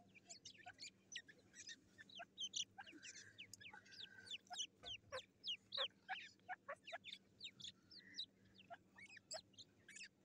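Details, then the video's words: Fighting black francolin chicks, recorded on 18 July 2024, give a rapid, uneven run of sharp, high chirps, roughly three a second, broken by a few rougher churring notes and a constant low hum. "Teeter kids fighting best .kala teeter kids."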